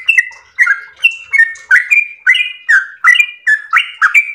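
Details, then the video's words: Active yellow-vented bulbul delivering a long 'ropel' song: a quick, steady chain of bubbling two-part whistled notes, each slurring down then jumping up, repeated roughly twice a second without pause. No background noise. "ROPEL MERDU trucukan gacor ropel panjang istimewa"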